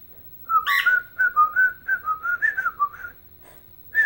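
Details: A dancing pet bird's rendition of Chelsea Dagger, the Chicago Blackhawks tune. After a short silence comes a connected run of slurred whistles, rising and dipping steadily for about two and a half seconds.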